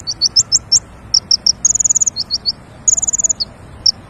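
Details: High-pitched king konin lure song for trapping birds: quick ticking chirps in short groups and two fast, buzzy rattling trills of about eight notes each, with soft background hiss.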